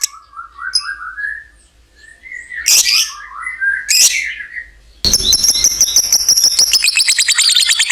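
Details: Lovebird with ngekek panjang, a long trill to encourage other lovebirds; scattered whistled chirps and two sharp squawks first, then an abrupt, fast, high rattling trill fills the last three seconds.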